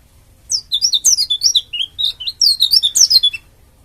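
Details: Oriental white-eye from Bali singing dakun style, used to start other white-eyes singing: a quick, rich warble of high whistles, trills and swooping chirps. The notes tumble out rapidly for about three seconds.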